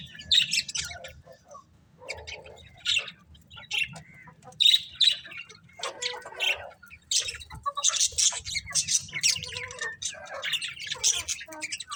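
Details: Colourful budgies chirping for twelve seconds: bursts of squeaky, rasping chatter and thin whistled notes come and go unevenly, growing busier and more continuous in the second half as birds overlap.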